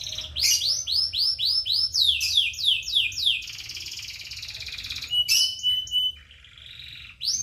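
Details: Lively high-pitched birdsong with fast runs of repeated arched chirps, a buzzy stretch, then a level whistled note, all above a faint continuous low background drone.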